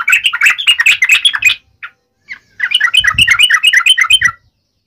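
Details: Yellow-vented bulbul fighting song in forest style, used to provoke an instant reply from other birds: fast, tumbling burbled notes, a brief gap with isolated calls, then another energetic chattering burst with a few low thumps beneath.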